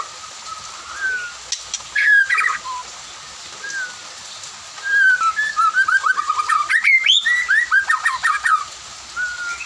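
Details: White-rumped shama in the afternoon with other birds answering; a brief whistle and short burst early, then a long rapid series of slurred, rising-and-falling whistled notes.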